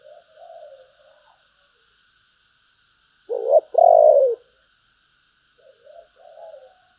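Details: Spotted dove in the giọng thổ bầu singing style: faint, soft warbling coos, then one loud, low two-part phrase of a clipped note and a longer falling coo, with quieter cooing murmurs after it.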